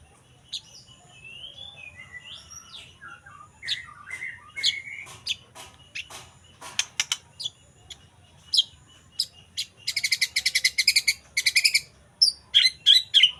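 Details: Young forest white-rumped shama singing a varied song: slurred whistles at the start, then sharp clicks and rapid, buzzy high trills that grow louder toward the end, over a faint low hum.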